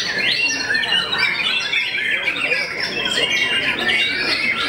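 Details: Rival-silencing white-rumped shama song: sharp rising whistles, rapid chatter and squeaky slurred notes tumble one after another in a loud, unbroken stream.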